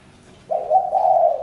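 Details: A spotted dove's low coo, a short opening note running into a longer, louder hooting tone that holds steady to the end.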